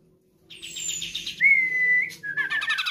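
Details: A Sumatran grey-cheeked bulbul gives a quick burst of buzzy chattering notes, then a long, steady, pure whistle, then more harsh rattling chatter.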